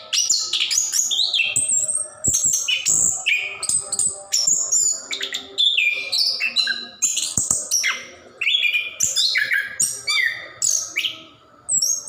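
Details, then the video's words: Continuous gacor ngerol singing from an orange-headed thrush of the plontang type, a prompt for caged birds that rarely sing; high, dense phrases of chips, trills and whistled slurs rolling on with only brief breaks. "Anis Kembang / Plontang Gacor Ngerol | Durasi Panjang cocok untuk pancingan burung malas bunyi"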